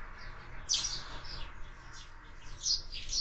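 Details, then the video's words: Sparrows at a window-mounted feeder, with scattered sharp high chirps, one loud near the start and more near the end, over a soft background hum. "Воробьи в кормушке"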